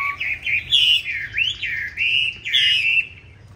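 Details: A green-bean-eye Chinese hwamei pours out its fighting song, used as a training model for a smooth, gentle song; loud continuous wavering whistles rise and dip without a break.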